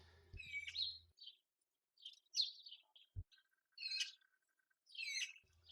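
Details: Female Eurasian magpie begging as the male arrives to feed her on a branch near the nest in a jasmine during breeding; harsh, noisy chattering bursts repeated about every second, with a low hum at the start and end.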